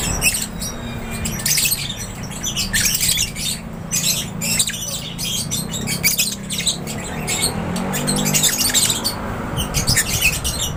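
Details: Aviary flock of lovebirds chattering nonstop, dense bursts of sharp, piercing chirps and squeaks layered over each other, faint voices and a low rumble in the background.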